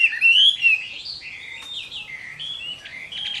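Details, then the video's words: Chinese hwamei singing its fighting song at midday in summer: an opening burst of loud, clear rising whistles, followed by softer, varied warbled phrases and short flat notes. "HỌA MI CHIẾN HÓT TRƯA HÈ"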